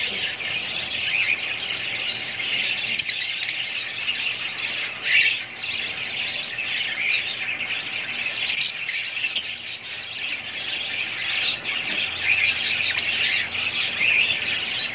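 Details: A family of budgies chattering without pause: dense, scratchy, high warbles and clicks flowing together for the whole stretch, with occasional slightly louder bursts.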